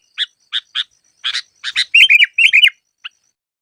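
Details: Sooty-headed bulbul used to lure birds for trapping gives a few spaced dry chirps, then two loud bubbly whistled phrases and one last soft note.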